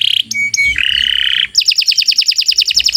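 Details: Canary song for training other birds: a few clear whistled tones and a held buzzy note, then a rapid rolling trill of repeated high notes.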